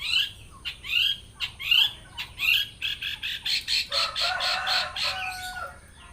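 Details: Long-tailed shrike singing with mimicked songs: rising slurred whistles, then a rapid pulsing chatter, ending in a lower rattling, nasal passage.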